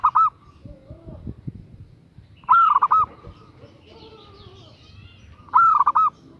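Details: Female zebra dove calling a male, giving three short cooing phrases about every three seconds: a swelling rising coo followed by rapid bubbling notes. Faint scattered bird chatter and knocks fill the gaps.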